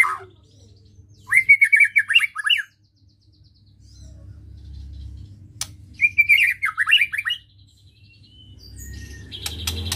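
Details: White-rumped shama giving a provoking song meant to stir emotion: two bursts of rapid, varied whistled notes with sliding pitches, separated by a few seconds of quiet, over a low background hum.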